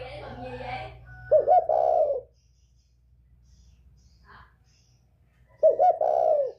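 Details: Spotted dove of northern Vietnam, a 'còi bổi' voice used to provoke other birds: two clear cooing phrases near 600–700, each a short note then a longer drawn coo, with murmured speech at the start and low hum.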